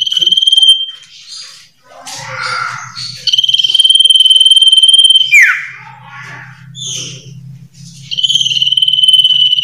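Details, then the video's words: Common iora, known locally as sirtu or cipoh, singing actively with varied phrases: long steady high whistles held for about two seconds, ending in a sharp downward slide, with shorter chattering notes between and a low steady hum beneath. "SUARA BURUNG SIRTU/CIPOH/CIPOW GACOR VARIASI"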